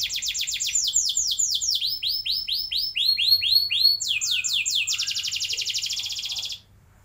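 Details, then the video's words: Canary lure song for young canaries: sweeping whistled notes that slow into broad arches, then a fast, even buzzy roll lasting about two seconds before the sound stops into silence. "Pancingan Ampuh Buat Kenari Paud Agar Cepat Bunyi Ngeroll Panjang"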